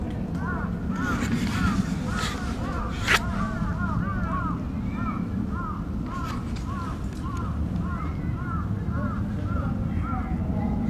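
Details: Crow giving what is described as an earthquake-warning call at Aoba-no-mori Park on 28 May 2017, a long series of arched, cawing notes repeated in quick runs over loud, low rumbling background noise and faint voices.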